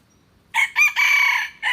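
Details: Crowing of a red junglefowl, starting abruptly with two short hoarse notes, then a long steady note and a final short note cut off at the end; no other sounds stand out.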